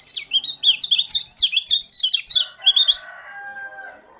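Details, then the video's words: Lombok white-eye's morning song, a rapid chattering string of high warbled notes swooping up and down, then stopping, leaving a faint long drawn tone in the background. "Kicauan burung pleci lombok sang penyambut embun pagi"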